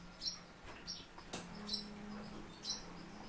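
A barn swallow gives four short, high, thin chirps, spaced unevenly about a second apart, over a low steady hum and one sharp click.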